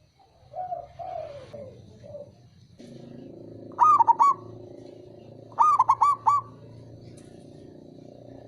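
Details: Male zebra dove, a local perkutut, giving its lure call to restart singing in quiet birds. Two crisp bursts of rapid trilled coos arrive about two seconds apart, after softer, deeper cooing in a steady background hum.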